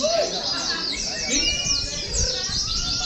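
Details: Caged Oriental white-eyes hung together at a gantangan, a mock competition session to train them: a dense, high, rapid twittering chorus from many birds, with lower whistled notes and voices underneath.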